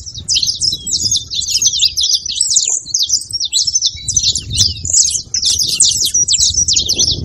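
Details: Saffron finch singing, used to warm up and excite a silent canary; rapid high-pitched chirped notes strung together without pause over a soft low background hum.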